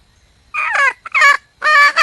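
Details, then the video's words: A wild red junglefowl hen calling for a mate gives three loud, harsh, drawn-out squawking calls, the last longest and broken in two, over quiet background. "le bruit d'une poule sauvage,เสียงไก่ป่าร้องหาถู่หาตัวผู้,ສຽງໄກ່ປ່າຮ້ອງຫາຄູ່ຮັກ, poj qaib qus see"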